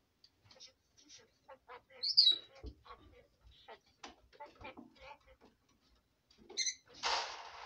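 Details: Red lorikeet, a female pet, jabbering at bedtime: a loud shrill squeak, then a long string of clicky, scratchy syllables, ending in a harsh rasping screech.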